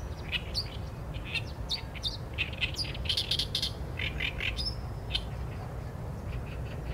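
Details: Oriental reed warbler singing, captured on a Sony A7M3 camera: a loud, continuous stream of harsh, rasping syllables and sharp clicky notes, some repeated in quick groups, over a low background hum.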